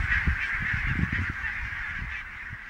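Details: Flock of barnacle geese, Niittylahti, Savonlinna, Finland, October 5, 2017: a busy wall of short, sharp yelping honks from numerous birds, fading slightly toward the end, with low-pitched wind rumble underneath.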